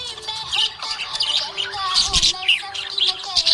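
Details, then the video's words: Cheerful budgerigar chatter: busy high-pitched chirps and squeaky bursts that swell around the middle, accompanied by held musical notes lower down. "Happy budgie chirping sound"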